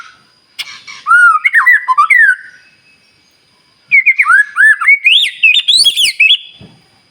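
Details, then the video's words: Singing white-rumped shama used as provocation for other shamas: a burst of curling whistled notes, about a second of quiet, then a second phrase of bright, rising whistles and sharp high notes. "murai batu gacor SIANG MALAM GACOR TERUS, Cocok Untuk Memancing Emosi Burung Murai NGELOWO"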